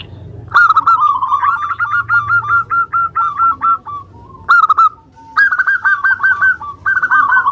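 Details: Lure song of a local Indonesian zebra dove, played to make other doves sing: long strings of rapid, even, bubbling coo notes, broken by brief loud accented bursts and short pauses.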